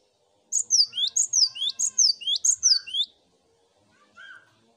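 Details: Cinereous tit master chorus: a lively series of about five paired whistles, high note dropping then lower note climbing, ending abruptly, then a quieter distant whistle.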